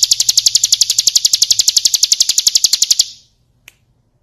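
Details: Bar-winged prinia singing for song training: a fast, very even trill of high sharp notes, about nine per second, lasting three seconds and then stopping abruptly, followed by a single faint click.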